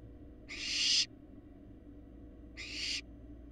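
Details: On a Florida live nest camera, well-grown barn owl fledglings give two broad, hissy screeches, the first louder and swelling toward its end, the second softer two seconds later; faint mechanical hum underneath.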